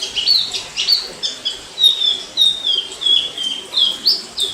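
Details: Free-living orange-headed thrush recorded in 2018, giving clear whistled phrases that glide downward, interspersed with higher sharp notes, roughly one to two phrases per second, with quiet background hiss.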